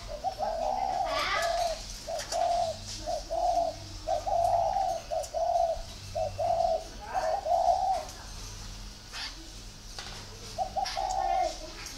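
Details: Spotted dove cooing steadily, low mellow hoots grouped into phrases of short and longer notes, repeated across the recording with light background chirps.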